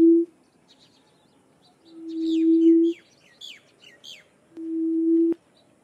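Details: Barred buttonquail giving three low hooting hums, a short one and then two longer ones of about a second each, separated by pauses. Other birds chirp and twitter sharply at higher pitch between them.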